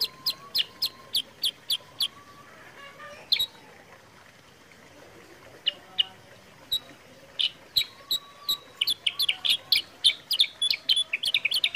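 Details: Sooty-headed bulbul chirping, used as a lure to prompt birds to sing. Quick clipped notes open the sequence, followed by a quiet pause with a soft lower whistle. It ends in a rapid, crowded burst of bright chirps.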